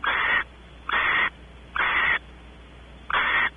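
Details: In a nest cavity at Audubon Starr Ranch, California, barn owls, the male exploring and the female expecting mating, give four loud breathy hisses in quick, slightly irregular succession.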